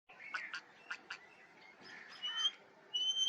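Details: Parrot calling: a few short harsh chirps, then rasping notes and a thin high whistle that rises and holds steady near the end.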